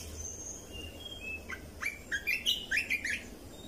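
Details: Song of a red-whiskered bulbul for teaching young birds and exciting birds: a few faint thin tones, then a rising series of quick, bubbly whistled notes, about seven, against a steady hiss.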